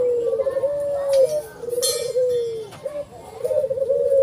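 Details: Steady low coos from a white ivory collared dove with black collar, long wavering descending phrases, partly covered by children talking and a brief rustle.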